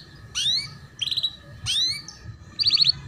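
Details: Ngeriwik tutor song of a canary for young learners: loud sweeping slurred notes alternate with short buzzy trill bursts, each lasting under half a second, over a faint background hum.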